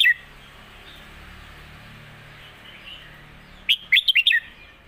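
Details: Red-whiskered bulbul, a caged contest bird, plays out its master song to train young birds; after a faint opening note and near-silence, a single crisp phrase of five slurred whistles falls away in pitch.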